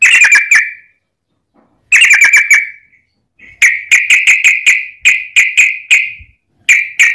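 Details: Long fighting song of a yellow-vented bulbul, played as a lure to provoke other bulbuls: short bursts of rapid, bright chattering notes broken by brief silences, later becoming clipped notes repeated in quick clusters.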